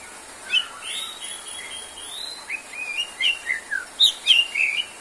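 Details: White-rumped shama singing vigorously: a varied run of clear, high whistled notes, some sliding and some rising, that quickens into a string of short, sharp phrases toward the end.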